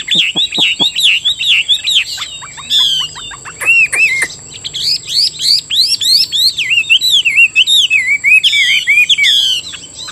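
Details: Chinese hwamei kept caged by a Vietnamese seller pours out a long, loud, continuous song of looping, bouncing whistles and sharp accented notes, varying in pitch, with barely any pauses over ten seconds.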